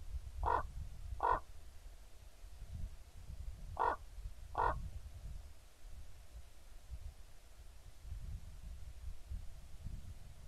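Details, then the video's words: A pair of common ravens, recorded 28 October 2016 on a live stream: four short, hoarse croaks in two pairs, a few seconds apart, over low rumbling wind noise. "kraukļu pāris"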